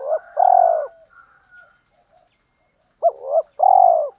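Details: Spotted dove lure cooing for training, male and female: a long mellow coo, soft faint notes, then after a pause a fresh phrase of a short wavering note and a sustained falling hoot.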